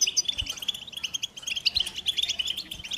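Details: European goldfinch delivering a lively, high-pitched twittering song: rapid chirps and liquid trills pouring out continuously, with soft low knocks in the background.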